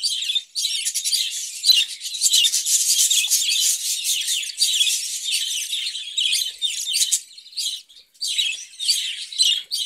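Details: Budgerigars kept in a cage, where they breed and raise chicks, give a continuous, dense, buzzy chattering warble of rapid high notes and clicks, running almost without break, with short pauses near the end.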